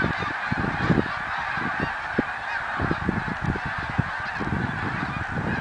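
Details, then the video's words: A flock of snow geese recorded in 2014 keeps up a steady honking roar, with many sharp low thumps and rumbling noise beneath the calls. "Snow Geese song & dance 2014"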